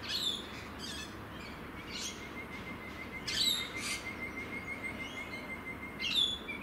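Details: Rainbow lorikeets in Australia give harsh, shrill screeches in short bursts every second or two, with a thin steady whistle underneath over a soft outdoor hiss.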